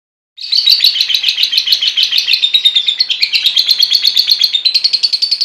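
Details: Kept lovebird of the fighter type in full song: a long, rapid, unbroken trill of sharp chattering notes, high and slightly wavering, continuing steadily after a sudden start.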